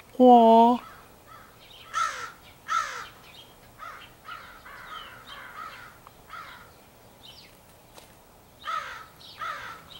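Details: Members of a big crow flock, possibly choosing mates, 4 April 2015: a loud tonal note opens, followed by harsh, nasal caws spaced about one to two seconds apart, some answered by quieter, more distant birds.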